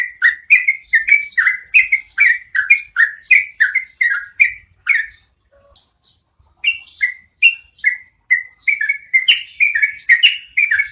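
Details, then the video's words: Rolling song of a yellow-vented bulbul (trucukan) used to train cage birds: quick series of slurred descending whistles, a brief pause near the middle, then the bubbly run resumes. "MASTERAN SUARA BURUNG TRUCUKAN NGEROLL PANJANG"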